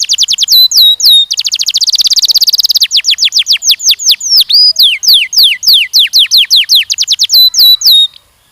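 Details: Canary song used in mating training of young males and females; loud repeated downslurred whistles, a fast rolling trill in the middle, then more sweeping descending notes in a steady rhythm.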